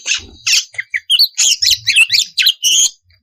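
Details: Female oriental magpie-robin in breeding condition, calling to the male, gives a string of about a dozen short, loud, rasping and chirping notes in quick succession, each separate, high and rough-edged.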